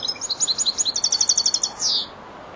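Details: Four-month-old European goldfinch learning to finish song phrases, giving a dense, fast series of liquid, tinkling high notes that quickens, then ends in a drawn-out buzzy note.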